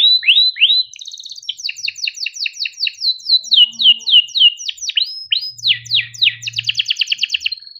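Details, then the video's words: Long chirping song of a kept canary: rapid series of repeated downslurred whistled notes, several per second, changing phrase types, ending in a fast clipped trill and a short held whistle. "Kenari gacor cuit cuit ngerol untuk pancingan kenari biar gacor"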